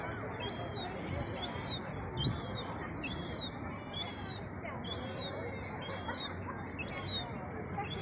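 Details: A herring gull chick, about 4–6 weeks old, begs for food largely ignored on the Eastbourne seafront, East Sussex, UK, at 4 pm on 12 August 2021. It gives high, thin, down-slurred piping calls about once a second over a steady roar of wind or traffic.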